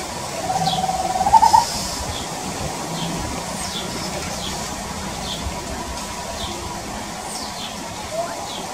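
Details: Tropical screech-owl singing in the woods of a farm in Brazil: one short purring trill of quick notes that rises slightly and ends in a few louder emphatic notes, then quiet with faint insect chirps and a low hum.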